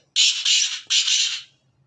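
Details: Black francolin, called kala Sindhi teetar, giving a loud harsh grating call: two rasping phrases, each made of two joined segments, in a quiet setting.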